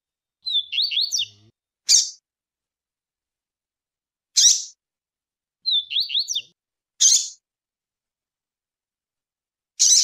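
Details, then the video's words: Female rusty-collared seedeater calling alongside the tui-tui style song, used for training birds: short high warbled phrases of rapid up-and-down notes, alternating with brief sharp high chips, repeated twice with long silent gaps. "Piado de fêmea de coleiro,e canto de coleiro TUI-TUI."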